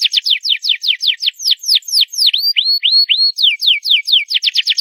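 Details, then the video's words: Canary singing loud, a steady run of sharp downslurred whistles, then slower curling upslurred notes, and back to quick descending slurs speeding into a trill. "CANARY SINGING LOUD!!"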